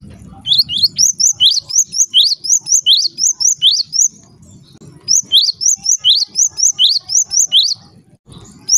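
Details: Java sparrow producing bursts of shrill rising chip notes, less evenly spaced, with a short gap midway; the sound is used to set other Java sparrows calling, over faint low background noise.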